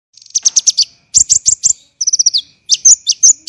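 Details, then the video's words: Olive-backed sunbird, known locally as kolibri ninja, in a training recording for songbirds: dense, harsh bursts of high chirps in quick rapid groups, with short descending trills between them. "MASTERAN KONIN tembakan rapat dan kasar"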